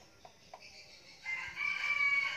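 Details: Red junglefowl decoy cock, known for crowing often, Bình Phước, Vietnam: two soft clicks, then a drawn-out, rising, buzzy crow building in loudness against a faint insect drone.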